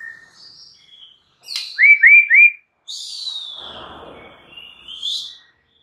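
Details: White-rumped shama singing as a provoking lure for other shamas. Three loud hooked whistles in quick succession, followed by a long high sweeping whistle that slides down over a soft rustling noise.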